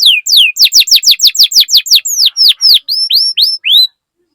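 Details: Canary song played to prompt other canaries to sing: a fast regular series of loud falling whistles, slowing into a few upward-curling whistled notes before stopping.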